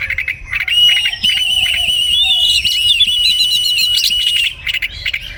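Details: White-rumped shama in morning song: a long, steady, high warbling whistle held at one pitch, with rapid flourishes layered over it and faint ticking sounds underneath.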